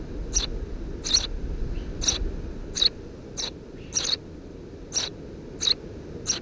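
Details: Three Eurasian tree sparrow nestlings under the roof of a house, June 2017, chirp in a regular run of short, bright high notes nearly every second, over a low continuous rumble.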